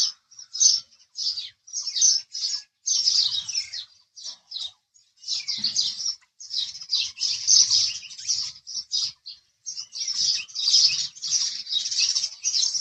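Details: Busy house sparrow chirping, many short, high, buzzy chirps in irregular clusters, nearly continuous over the whole stretch.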